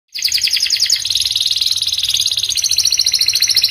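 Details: Panda canary singing energetically: a fast, continuous high trilling song of rapid repeated notes, rolling on without pause, clean with no other sounds.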